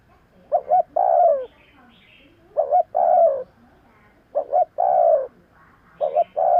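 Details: Spotted dove cooing, used to lure wild doves: three phrases about two seconds apart, each two short paired coos followed by a long, drawn-out falling croo.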